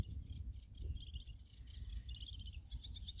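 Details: Singing male Sedge Warbler at Goxhill Marsh, Lincolnshire, UK, filmed by phonescope: a continuous, hurried chatter of harsh, scratchy notes and short trills, with a heavy low wind rumble underneath.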